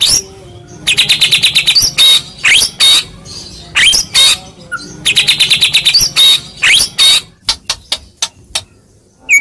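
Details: White-rumped shama, a Medan-type bird, singing a fighting lure meant to make other shamas reply: loud, repeated bursts of rapid high chirps and harsh buzzy notes alternating with rising whistles, brief pauses between phrases.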